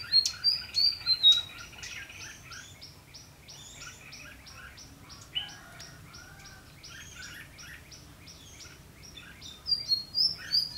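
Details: Red-whiskered bulbul luring rivals into a fighting trap on 12 February 2016. Loud sharp whistled notes open and close the clip, with a rapid run of evenly repeated chirps and warbles between.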